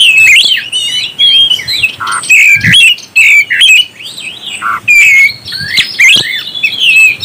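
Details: Oriental magpie-robin singing to provoke other birds, a rich nonstop medley of clear whistles, rapid twittering trills and scratchy notes, rising and falling in quick loud bursts.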